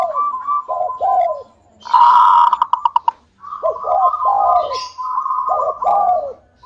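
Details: [4, 'Local zebra dove singing to prompt other doves: paired falling coos, a loud burst of rapid staccato notes, then further coo pairs over a sustained level tone.']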